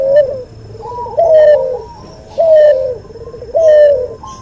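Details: Cuhu dove bred from white albino puter and puter pelung cooing steadily for a masteran: smooth sustained notes that sag at the end, about every 1.2 seconds, with softer trailing warbles between.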